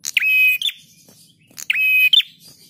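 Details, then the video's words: Prinia master song for training caged birds: two strong buzzy phrases about a second and a half apart. Each opens with a sharp note, holds a level rasping buzz, then ends with a quick rising chip. "Masteran Prenjak Tamu GACOR"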